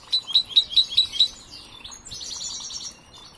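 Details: European goldfinch, a young bird still learning, opening with six evenly spaced sharp high chirps, then sliding into buzzy twittered notes and a softer trailing chatter.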